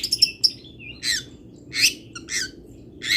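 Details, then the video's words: Local long-tailed shrike delivering 'isian' fill material: a few quick chirps, then harsh, raspy bursts about every half second over a low background rumble. "ISIAN WAJIB BURUNG CENDET - 99,01% PATI ADA ISIAN MODEL INI | MASTERAN CENDET LOKALAN"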